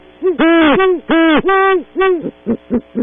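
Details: Great horned owl pair at a cavity at dawn, Audubon Starr Ranch, California, recorded by a wildlife cam: long arched hoots in close succession, trailing into three clipped shorter notes, with a faint background hum.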